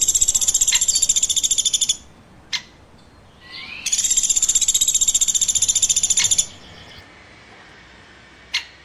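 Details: Chirping woodpecker: two long runs of rapid, high, buzzy notes, each about two seconds at roughly ten per second. Single sharp clicks fall in the gaps between runs.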